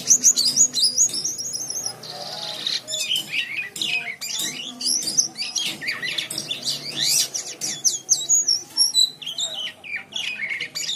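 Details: White-shouldered triller in full chattering song, used as a tutor recording for training other birds: dense, rapid run of high whistled slurs and sharp chips, rising and falling without pause, over a faint steady low hum.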